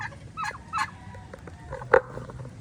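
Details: Turkey giving three short, clipped calls within under three seconds, the last one the loudest, over a low, steady rumble of background noise.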